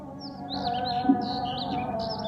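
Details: A bird sings at dawn as the Fajr prayer goes on: a continuous stream of high, slurred, whistled chirps, partly overlapping, above a steady humming chant-like tone.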